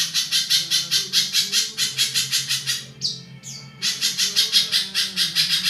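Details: Spiderhunter, locally pijantung, with its coarse long song used as a master recording for songbirds; quick rasping pulses about two or three per second, interrupted midway by short squealing notes.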